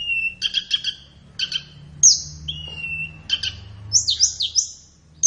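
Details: Flowerpecker song for training captive birds: buzzy chattering bursts alternating with a thin, level whistle and a cluster of very high, rising squeaky notes.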